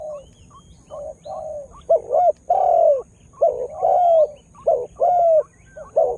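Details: A calling spotted dove meant to lure wild birds: quiet cooing builds into loud, resonant, bending coo notes, some long and gently falling, in an irregular rolling series with faint high chirps from other birds.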